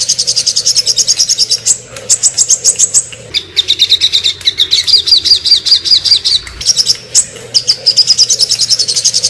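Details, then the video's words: Sogon bird in the ngobra style, a rapid shooting call used for tutoring birds: bursts of fast, very high dry chips and trills, repeated in tight runs with brief pauses, some notes sliding slightly downward. "burung sogon ngobra"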